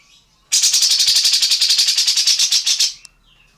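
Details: Indonesian songbird, tengkek buto or cucak jenggot, recorded as a model song for training other birds: a loud, harsh, high rattle of evenly spaced buzzy pulses, about seven per second, lasting over two seconds, then one short click.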